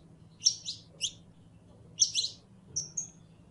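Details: Calling female canary in heat seeking a male: sparse high chirps in small clusters of two or three, with quiet gaps between and a faint background hum.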